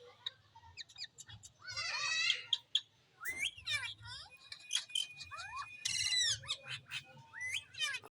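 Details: Parrot calling with harsh, ragged squawks, twisting whistled chirps and a held whistle, delivered in uneven bursts over a low background rumble.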